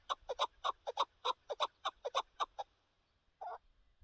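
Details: Chukar partridge heard on a partridge hunt: about a dozen evenly spaced, hoarse clucking notes in quick succession, then silence and one final drawn-out harsh note.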